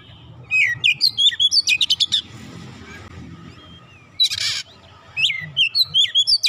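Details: Oriental magpie-robin song played to coax silent magpie-robins into singing: bright whistled notes, then a fast run of buzzy rasping bursts, a pause, a harsh burst and more rising whistles.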